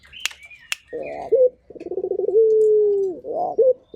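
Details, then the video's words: Local turtle dove in steady song: a hooked note, a throbbing run of pulses and a long level coo drifting lower, then another hook. Two sharp clicks and a high squeak come first. "Burung Puter Gacor"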